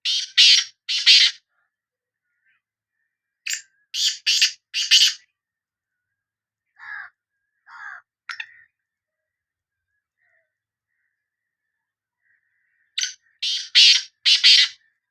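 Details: Sindhi black francolin (kala teetar) calling: three clustered bursts of harsh, grating, buzzy notes, each a tight run of three to four rasping syllables, separated by pauses. Fainter, lower, scratchy notes sit in between. No other sounds.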